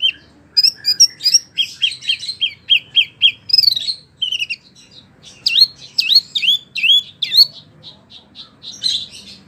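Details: Wambie mini singing energetically, suited to tutoring prize birds: a steady row of repeated whistled notes, then curling upswept whistles and short chirps, with quiet low hum behind.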